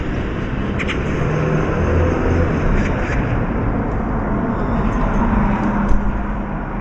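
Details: Steady outdoor rumble of passing vehicles with broadband traffic hiss and a few faint clicks, and no animal voice.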